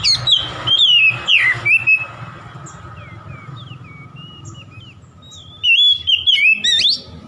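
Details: Oriental magpie-robin song to provoke a rival, with several quick whistled slurs and chirps, a quieter stretch of thin scattered notes over low background hum, then a loud final burst of looping whistles.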